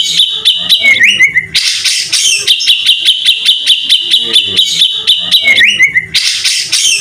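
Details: Mimicry-rich white-rumped shama song meant to prompt other birds to sing: rapid, loud repeated ticking notes with swooping upward sweeps and harsh rattling bursts, continuous throughout.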